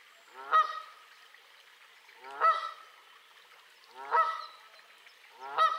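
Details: Canada goose recorded on 25 April 2020 with a Sony RX100 VII camera; four strident, nasal honks spaced roughly two seconds apart, each a sharp rising blast with a rough tail, little other sound behind.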